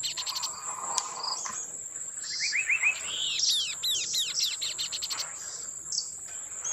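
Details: Kaso kaso, the chestnut-capped babbler, singing a lure song meant to draw replies from other birds: a rapid string of short, arched, descending whistles rising into a chattering burst, backed by a constant shrill buzz.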